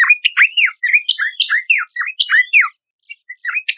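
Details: Horsfield's babbler song used as a lure and training material for competition songbirds: a lively, varied stream of loud whistled slurs, some rising and some falling, with a brief pause near the end.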